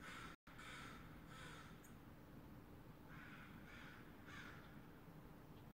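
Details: American crow calling on a December morning around nine o'clock; several harsh, hoarse caws come in two loose bursts, fairly distant, over a steady low rumble and a constant faint hum.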